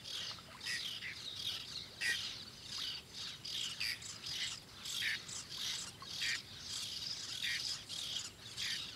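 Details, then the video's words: Whiskered tern (Chlidonias hybrida) passing frog prey to a chick at the nest, Doñana National Park, Seville, Spain, in August; harsh, rasping squawks in rapid overlapping bursts, one or two a second, with faint outdoor hiss. "Whiskered tern passing frog prey to a chick at nest"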